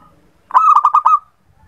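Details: Local zebra dove song, used as a lure to prompt doves that seldom sing: one loud, rapid phrase of about six pulsed, cooing notes, ending in a drawn-out trailing note, in a quiet setting.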